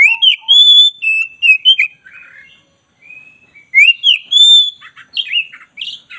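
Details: Oriental magpie-robin of the black-breasted form, a lively singer used for song training. Loud clear whistled phrases rise and fall, broken by short scratchy buzzes, then a second whistled run and rapid chattering notes.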